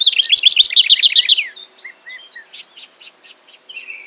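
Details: House wren singing at Hulls Gulch, Boise, Idaho, delivering a fast, bubbling burst of high trilled notes lasting about a second and a half, followed by softer scattered chips and a fainter warbled tail.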